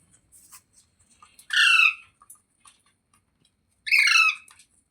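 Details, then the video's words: Parrot, described as talking, gives two loud harsh squawks about two and a half seconds apart, each a buzzy, strongly layered burst that falls slightly in pitch, with faint clicks and small noises between them in a quiet room. "Parrot Talking Sounds Videos | Parrot Voice |Parrot Ki Awaaz"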